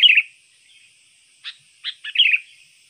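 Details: Sooty-headed bulbul kept as a trained lure and tutor bird: an opening bubbly phrase, a pause, then three quick chirps leading into a liquid warbled flourish, over a thin steady hiss.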